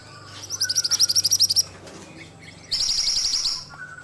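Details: Ashy tailorbird (mantenan) singing vigorously: a run of about a dozen quick, high, pulsing chips, a pause, then a dense, buzzy high trill. Faint lower whistles sound underneath.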